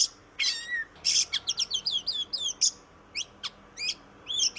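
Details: Oriental magpie-robin song used to coax a reluctant bird into singing: harsh rasps and a slurred whistle, then a fast rattling series of sharp notes, followed by spaced single chirps.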